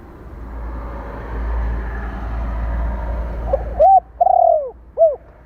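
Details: Spotted dove calling, recorded to rouse decoy birds. Heavy low rumble and hiss fill the first few seconds, then one coo phrase follows: a short note, a long wavering coo and a brief arched note.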